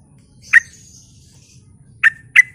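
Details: Sooty-headed bulbul used as a lure to prompt other bulbuls to respond: one emphatic chirp followed by a thin trailing whistle, a pause, then two more quick, forceful chirps in gacor style.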